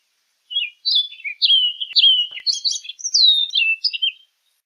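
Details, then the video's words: An orchard oriole's song: a lively run of sweet, sliding whistles with rising and falling notes and a few sharper high chips, lasting about four seconds. Quiet background. "Orchard Oriole Bird Singing, Calling, Chirping, Sound - Calandria Castaña Canto - Icterus Spurius"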